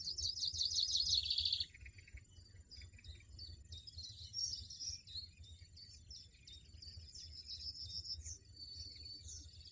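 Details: European goldfinch in the wild opening with a loud, rapid rattling trill, then continuing with softer, scattered high twitters and chirps over a low steady hum.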